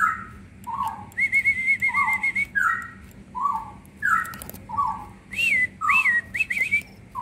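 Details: Leafbird pouring out 'gacor full isian' song, a lure for quiet green leafbirds. A long wavering warbled whistle, then paired lower whistles at a regular pace, ending in looping up-and-down whistled notes; soft background hum.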